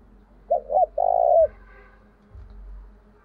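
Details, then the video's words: A spotted dove kept as a lure for wild doves delivers one mellow phrase, with two short coos followed by a long drawn-out coo. A faint steady hum and soft low knocks sit underneath. "Tiếng chim cu gáy mồi gáy gọi"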